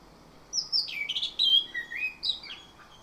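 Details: Orange-headed thrush in the morning, singing a lure phrase meant to prompt steady song: a rich string of whistled, slurred notes, falling and rising, with one emphatic high phrase near the end.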